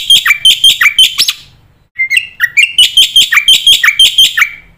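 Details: Energetic black-winged myna song, a master recording for young mynas to learn fill-in phrases: bursts of bright whistled notes with downward slurs, repeated rapidly in two phrases separated by a brief gap.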